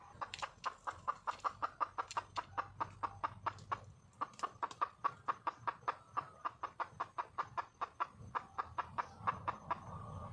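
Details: Sharp, evenly paced clucking from a wild junglefowl hen calling to attract a male, a steady chain of short notes around four per second, broken once by a short gap near the middle.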